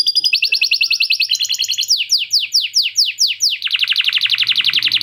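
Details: Canary with lovebird-chatter repertoire: bright rapid trills, then a series of separate sharp downslurred whistles about four per second, ending in a dense rattling roll.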